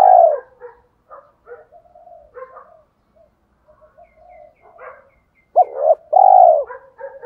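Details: Cooing spotted dove of the thổ-pha-đồng voice type, played to rouse decoy doves. It begins with a strong low coo trailing into soft chattering murmurs, then ends with a short hooked note and a long resonant coo.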